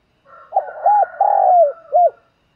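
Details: Spotted dove kept as a decoy bird, calling in the morning: a soft introductory note, then a low arched coo, a long drawn-out coo sliding downward, and a final short arched coo, in a quiet setting.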